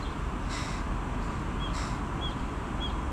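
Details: Two harsh, broad caws from carrion crow young, already parent-sized, begging for food, separated by about a second, with short thin whistled notes from other birds and steady low rumble.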